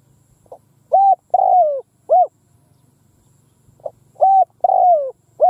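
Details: Decoy spotted dove calling in an open field to lure wild doves: two loud cooing phrases, each a short hoot, a longer falling coo, then a short hoot, with a faint low hum behind.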